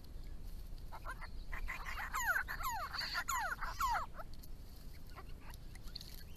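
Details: Grey-crowned Babblers from a small group visiting a garden pond give a quick run of loud, sharply falling squeaky notes over about two seconds, then fainter chatter amid steady background hiss.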